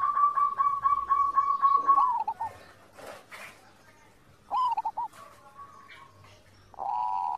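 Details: Zebra dove (perkutut) master song meant to get birds singing: a fast train of evenly spaced clipped coos that slides down at the end, followed by shorter pulsed phrases and a drawn-out tone.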